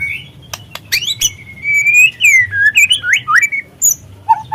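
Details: Young spotted White-rumped shama, played as a lure to stimulate shamas to sing: sharp clicks lead into a long sustained whistle, then rapid twisting warbled notes and a final rising whistle, against quiet low background noise.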